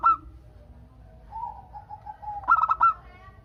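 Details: A local zebra dove (perkutut), used to lure other doves into calling back, coos: a short opening note, a long low drawn-out coo, then four soft staccato notes over a faint low hum.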